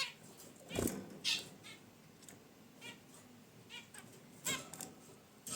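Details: Zebra finches kept in a cage near a wicker basket nest utter scattered brief nasal honks and chirps, with soft rustling and a thump early on.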